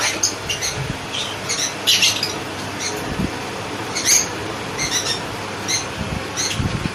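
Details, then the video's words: Sun conure chicks being hand-fed give short, harsh, high squawks and squeaks in scattered bursts, with faint handling thumps and low room noise between them. "Sun Conure Handfeeding chicks"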